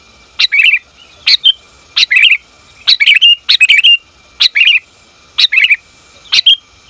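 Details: Female sooty-headed bulbul calling a male: bright, slurred chirp bursts of two or three notes, some close together, others spaced about a second apart, over a quiet background.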